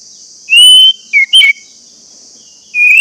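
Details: Orange-headed thrush lure song for caged birds: a long drawn-out whistle, two short slurred notes, and a falling whistle after a pause, over a steady high hiss throughout.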